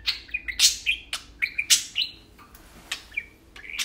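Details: Two tame budgerigars talking while playing, loud bursts of raspy warbling and rising whistled chirps, followed by a quieter stretch of soft ticks.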